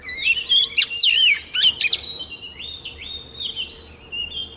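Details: White-rumped shama female singing to spur caged males: loud whistled slurs and sharp chips in the first two seconds, then softer, drawn-out wavering whistles, with a faint steady tone beneath.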